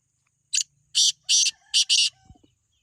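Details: Kala teetar, the black francolin, in a head-to-head voice contest between two birds, giving five loud rasping notes, the first short, the rest longer and grating, the last two run close together.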